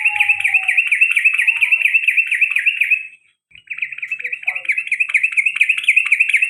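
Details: Yellow-vented bulbul (trucukan), male, giving a long rolling 'ropel panjang' call meant to prompt other birds to sound. Rapid, fast-warbling trill held for about three seconds, then a short pause and a resumed trill. Faint high hiss throughout.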